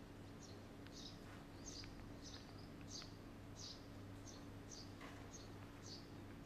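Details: Red-rumped swallow giving short, high chirps repeated roughly every half second in an even series, faint against a steady low hum.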